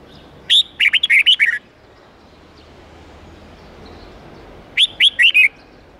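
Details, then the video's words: Tutoring song of the red-whiskered bulbul, 8-9-10 note twisting forest style for young birds: a full phrase of about seven whistled notes, a long quiet gap, then a shorter four-note phrase. "Luyện chào mào hót âm 8-9-10 giọng chuẩn rừng xoắn tít/ép chim non học giọng hiệu quả"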